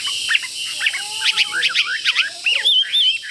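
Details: Caged Chinese hwamei with fighting spirit, pecking its cage when near a rival, sings a rich run of loud, varied whistled phrases that swoop up and down, with quick slurred notes and a few rapid trills over a faint background hiss.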